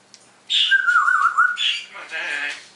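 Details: Captive parrot imitating sounds at home in the morning: a rough high squawk opens into a wavering mid-pitched whistle, then a harsher, buzzy, speech-like phrase.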